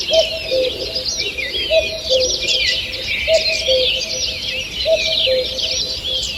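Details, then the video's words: Dawn-time forest singing from 2 June 2023: a lively tangle of high whistles and chirps, with a low cooing call repeated at an even pace, about every one and a half seconds. "Утреннее пение птиц"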